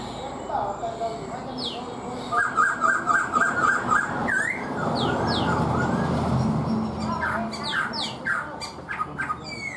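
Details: Four-month-old caged Black-throated laughingthrush (Pterorhinus chinensis) singing a quick run of clear repeated whistles with rising, sliding notes, over a steady background hiss and some voices.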